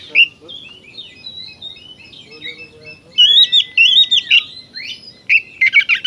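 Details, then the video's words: Oriental magpie-robin song used as therapy to make other kacer birds aggressive: a loud opening chirp, quiet soft whistles, then strong wavering whistled phrases and a closing burst of fast harsh chattering notes. "suara burung kacer gacor ini paling ampuh buat terapi burung kacer agar emosi jadikan kacer bukor"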